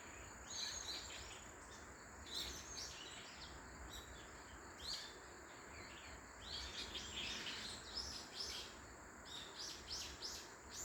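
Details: Wild birds along the Moraksan circuit trail: a busy chorus of short, high, sharp chirps and twittering notes in quick clusters, several birds overlapping, over a steady hiss of background noise.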